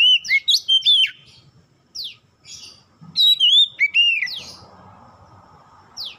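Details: Oriental magpie-robin song used as a lure to get other birds singing: loud clear whistled phrases, rising and falling slurs and sharp downward sweeps in quick bursts, with short pauses between phrases.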